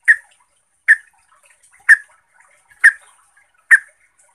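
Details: Trucuk (sooty-headed bulbul) lure recording meant to provoke other trucuk into agitated singing. Short, sharp mid-pitched chip notes repeat about once a second, with faint soft ticks between them and no other sounds.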